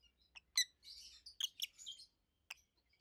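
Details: Quiet twittering and chirps from two adult rosy-faced lovebirds, green opaline and pallid aqua opaline, mixing short sharp notes with a longer warbled chatter over a faint low hum.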